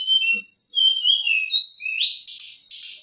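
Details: Calling to provoke males, a female black-winged flycatcher-shrike gives a chain of high whistles that waver and rise, then ends with two harsh, hissing bursts.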